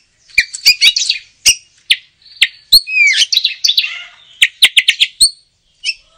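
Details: Oriental magpie-robin giving a varied song of sharp clicking notes and short buzzy chatters, with a burst of warbled whistles in the middle, delivered in spaced phrases.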